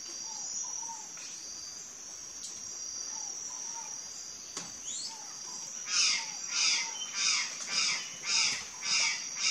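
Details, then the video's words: Curl-crested jay giving a series of loud, harsh, broad calls about every two thirds of a second after a quieter start, over a constant high insect drone with faint whistles from other birds. "GRALHA-DO-CAMPO (CYANOCORAX CRISTATELLUS), CURL-CRESTED JAY"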